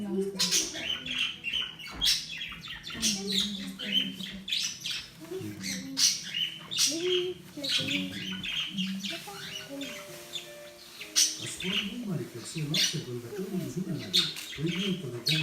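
A cockatiel chirps and squawks in quick bursts while a human voice murmurs underneath.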